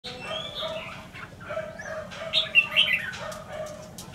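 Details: Caged decoy red-whiskered bulbul from Lương Sơn, wild-caught a week earlier, giving scattered short warbled notes that build to bright, bubbly phrases near the end over a steady low mechanical hum.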